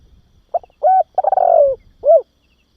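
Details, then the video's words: A single phrase from a spotted dove, played to train and stimulate young doves: a short lead note, a steady coo, a fast stuttering run into a long sliding coo, and a final rounded note, in near silence. "Tiếng Chim Cu Gáy Kích Bổi Và Luyện Cu Gáy Non"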